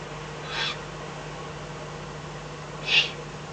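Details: Eurasian eagle-owl at night in the Eifel on 24 May 2014, fox brought as food; a pair of short breathy hisses roughly two and a half seconds apart, the second louder, with low hum behind.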